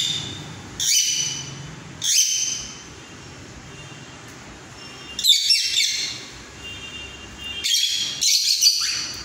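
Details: Cockatiel singing a mating call in four separate bursts of high chattering chirps spaced a few seconds apart, quieter hum between them.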